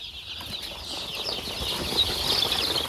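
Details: Poultry-farm chicks packed tightly in a box because of the cold produce a thick, rising wall of shrill peeps that grows louder toward the end, with scuffling and rustling below.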